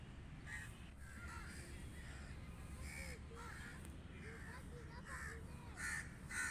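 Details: Several crows give scattered harsh caws, some faint and some louder near the end, while people talk in Hindi over low background rumble.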